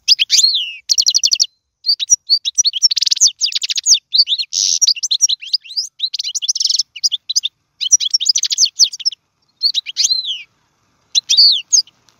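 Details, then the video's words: European goldfinch song for teaching young birds to sing: rapid, bright twittering bursts mixed with buzzy rattles and liquid downslurred notes, delivered in phrases of one to two seconds separated by short pauses. "اسمع المقنين واعطي رايك فيه,افضل تغريد لتعليم الفراخ"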